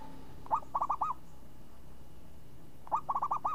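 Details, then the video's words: Zebra dove (perkutut) of champion class, its voice crisp and swinging ('renyah ngayun'), delivers a pair of mellow rolling phrases, a brief lead note then four or five fast bubbling coos, the phrases spaced about two and a half seconds. "Perkutut Juara Suara renyah ngayun"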